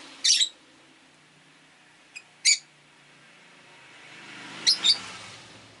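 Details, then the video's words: Loud, harsh high squawks from caged Rosy-faced lovebirds, five kept indoors by a window, come in pairs a few seconds apart as passing traffic swells underneath. "Lovebird Chirping Sounds"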